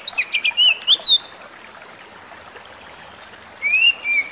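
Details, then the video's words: White-rumped shama song, used as a sound to rouse other shamas and as a calming track for stressed birds: a quick burst of short, clear whistles rising and falling in the first second, a hissy pause, then two more drawn-out whistles. "burung kacer lain dengar suwara ini pasti langsung emosi"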